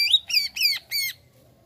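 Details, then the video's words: Greater green leafbird reacting to a played sound, giving three or four harsh, rich, rising squawky notes in quick succession, then falling silent. "CUCAK IJO LANGSUNG BEREAKSI DENGAR SUARA INI"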